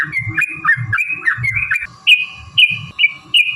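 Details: Yellow-vented bulbul in lively, fighting-style long rapid song, used as a lure to make other bulbuls answer: bubbly warbled phrases near the start, then short bright whistled notes repeated about every half second, with soft low thumping underneath.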